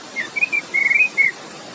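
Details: Orange-headed thrush singing relaxed, giving a short run of clear, high whistled notes, five quick phrases in under two seconds, over a soft steady hiss of rushing water, used to prompt silent thrushes to sing.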